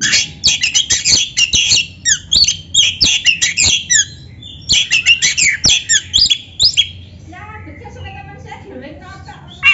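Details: Oriental magpie-robin singing energetically as a tutor for other birds: dense runs of shrill, scratchy chirps and whistles in rapid bursts for about seven seconds, fading into softer, lower warbled notes.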